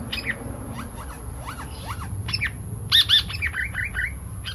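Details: Lure recording of a pied fantail (seriwang): a string of squeaky upward-sweeping notes spaced irregularly, with a louder doubled chirp near the end and low background rumble throughout.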